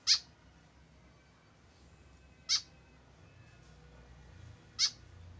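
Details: Tame white-breasted woodswallow with no companion, repeating a short, harsh, high nasal call three times at intervals of roughly two and a half seconds over low background hum.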